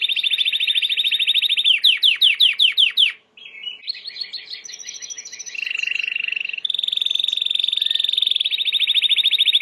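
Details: Training song of a white Timbrado canary: buzzy rolled trill, a sequence of sharp descending sweeps, brief pause, twittered phrases, then long rapid metallic rolls at two pitches.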